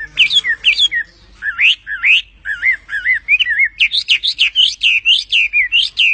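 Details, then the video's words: A small bird sings perched on its owner's hand: a rapid, varied run of sweet whistled notes and chirps, rising and falling, about two per second, with faint background hum. "passaro cantando"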